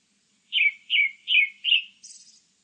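A Grey-backed thrush sings four quick, clear, downslurred whistles, evenly paced, then ends with a thin, high twitter. No other sounds intrude.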